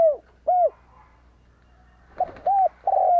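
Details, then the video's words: Spotted dove decoy calling to attract wild birds. Short arched coos come in a broken sequence, a few clicking knocks in between, then another coo and the start of a longer drawn-out note. "Cu gáy kích lửa bổi cực nhạy"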